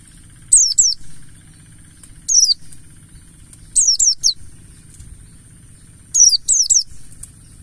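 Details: Pleci Buxtoni of the wild 'ngalas' type, a mountain white-eye lure for song: shrill, falling chirps delivered in pairs, a single, a triplet and closing pairs, separated by quiet gaps with a constant high whine.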